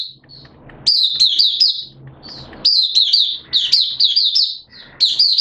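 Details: Caged Oriental white-eye singing amid wet, erratic weather, delivering repeated bursts of high, rapid chirping notes that dip and rise, roughly one phrase per second, with brief quiet spells and low background hum between.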